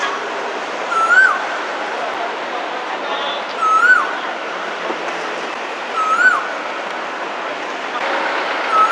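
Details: Male Asian koel in a busy Hong Kong city area in spring, calling for a mate. A rising whistled note repeats about every two and a half seconds, four times, over a steady roar of urban traffic noise.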